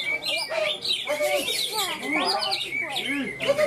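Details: Greater green leafbird competing in a songbird contest in Malinau, North Kalimantan, where it won first place, pours out a rapid, varied song of arched whistles, chirps and squeaky trills, with other birds and faint voices behind.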